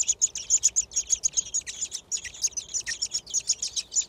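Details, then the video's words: Six thrush nestlings in a nest in a garden beg while being fed, giving a dense, continuous chorus of high, sharp chirps, rapid and overlapping, with no pause throughout. "Птенцы дрозда в гнезде. Кормление"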